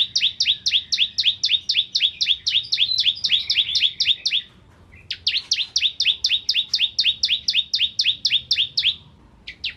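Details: Rice-field bar-winged prinia, crystal variety, singing for magpie-robin tutoring: two long, very rapid runs of sharp paired chirps, about four a second, separated by a short break.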